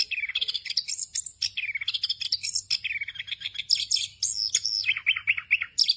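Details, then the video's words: Orange-headed thrush, a songbird of Southeast Asian forests, pouring out 'ngerol' song full of fill-ins for training raw birds: loud continuous warbling with swooping whistles, buzzy rattles and rapid chattered notes. "ANIS KEMBANG NGEROL FULL ISIAN EFEKTIF UNTUK MASTERAN ANIS KEMBANG BAHAN AGAR CEPAT GACOR"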